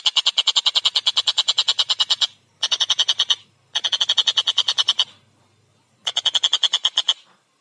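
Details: Collared kingfisher in full voice, clear and fast-paced, giving four bursts of rapid, harsh repeated notes separated by short pauses, the longest burst lasting about two seconds.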